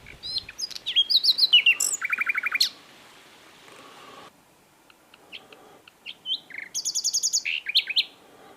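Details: Asian brown flycatcher (sikatan londo), energetic song: a rapid sequence of very high notes and a buzzy trill, a quiet stretch with faint chips, then another run of fast high-pitched repeated notes.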